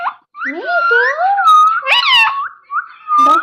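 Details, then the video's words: Talking pet parrot at play indoors, producing slurred speech-like phrases with sliding, nasal tones and a sharp squawk near the end. "Mitthu Talking osm playing"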